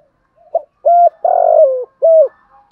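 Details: Spotted dove, used as a lure bird, giving one cooing phrase: a soft short note, a hollow coo, a long burry coo dropping in pitch, and a final clear coo, in quiet surroundings.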